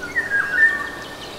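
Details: Eurasian golden oriole singing in the Nagyerdő forest of Debrecen: a short, fluty whistled phrase that holds level and then dips slightly, with a brief louder note near the middle. Faint forest background.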